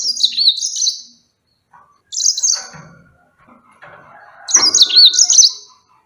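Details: Yellow-fronted canary delivering short, high, lively warbled phrases: one at the start, a brief one near two seconds and a fuller one near the end, with faint low rustling in the gaps.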